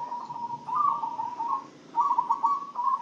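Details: Zebra dove fed an herbal spice feed mix and said to have become a keen, healthy singer; quick successive bubbling coo phrases with stuttered, pulsing notes and short gaps, fairly loud and clear.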